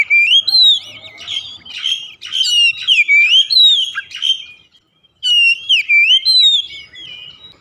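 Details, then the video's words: Oriental magpie-robin, a house-kept bird, singing to prompt reluctant caged birds to sing; loud whistled phrases of sliding, swooping notes with sharp chips, delivered in bursts separated by short pauses. "terapi kicauan Kacer | memancing Kacer rumahan susah bunyi langsung gacor"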